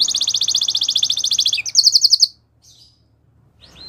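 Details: Belgian canary sings a rapid, regular buzzy trill for about one and a half seconds, then a short brighter ringing trill, followed by quiet and a faint closing whistle.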